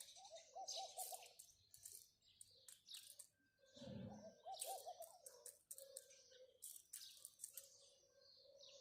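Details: Flock of house sparrows keeps up scattered, sharp chirps in bursts, mixed with a dove's low, wavering coos and a brief low thump near the middle.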